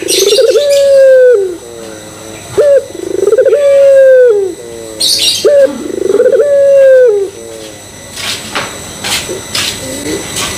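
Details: Lure call of a puter pelung Barbary dove meant to get others cooing: three rolling, drawn-out hoots in quick succession, ending with clicks, knocks and rustling as the cooing stops.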